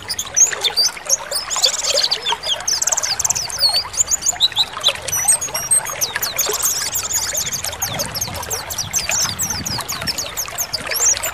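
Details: Oriental white-eyes, several kept birds, singing in the ngalas style used as therapy to get caged birds to start singing; rapid high twittering and sweet whistled phrases from multiple birds over steady trickling, pouring water.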